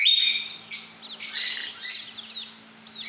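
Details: Talking pet lorikeet uttering short high chirps and buzzy squeaks in quick bursts roughly every half second, with thin whistled notes trailing between them.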